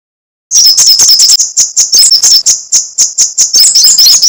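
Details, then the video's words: Rapid crecetan chatter of a sunbird: a dense, high-pitched stream of clipped ticking notes that starts abruptly and keeps up without a break. "Masteran Suara crecetan burung kolibri sogok ontong /srigati gacor"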